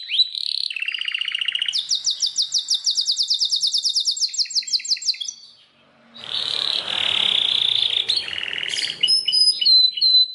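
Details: Belgian canary singing a varied song: a short rising phrase, then fast buzzy trills of rapidly repeated notes, a pause near six seconds, a noisy rushing burst, then high whistled notes and more trills.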